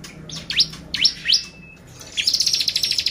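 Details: ['Bar-winged prinia lure song for exciting birds: three quick descending whistled sweeps, a brief thin steady tone, then a rapid, evenly pulsed high trill.']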